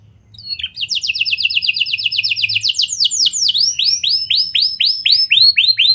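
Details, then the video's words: Canary performing a lure song with lovebird and prenjak phrases to get other canaries singing at length: a long rapid series of high chirped notes gives way to rounded rising whistles repeated steadily. "Kenari Gacor Cengkok Lovebird & Prenjak! Ampuh Buat Pancingan Kenari Lain Agar Gacor Panjang"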